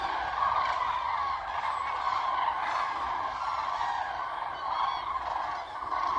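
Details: Distant flock of common cranes on meadows by the Baltic lagoon near Ribnitz, Germany, some flushed when a farmer brought feed to cows; thick, ongoing chorus of rolling trumpet calls rising and dipping in loudness.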